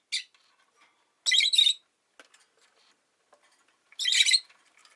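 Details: Rosy-faced lovebird, a pet bird, giving a short chirp, then two longer harsh, screechy bursts a few seconds apart, with faint ticks and clicks in the quiet between them.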